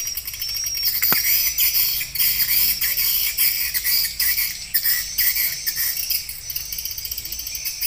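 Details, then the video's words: Calling swiftlets in an attraction recording for a bird house, including roosting and pulling sounds: a constant chorus of high, thin, ticking chirps and buzzy trills from many birds, with one sharp click early on. "SUARA PANGGIL WALET"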